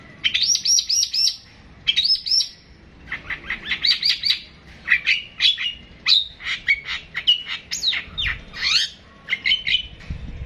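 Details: Long-tailed shrike delivering a long 'tembakan' song: quick high trilled bursts, then varied whistled and chattering phrases with rising and falling notes, separated by short pauses.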